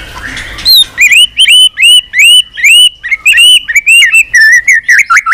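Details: White-rumped shama in continuous, enduring song with varied, unusual phrases, tail flicking on its perch: a quick series of loud, clear rising whistles, about two per second, some ending in sharp upward flicks.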